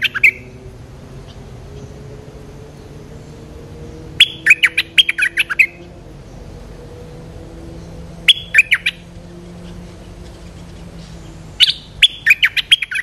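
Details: A well-built territorial Streak-eared bulbul, lured in, repeats the same short phrase of crisp chirps about every four seconds; quiet pauses between phrases carry a soft low hum.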